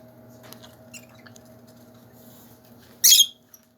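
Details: Lovebirds in a big bird cage give one loud, harsh, high-pitched screech lasting about a third of a second near the end, over a steady low electrical hum and faint rustling.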